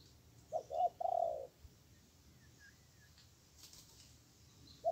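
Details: Spotted dove answering a weak decoy during trapping: a single phrase of two quick coos and a longer low coo, followed by quiet and a faint distant chirp.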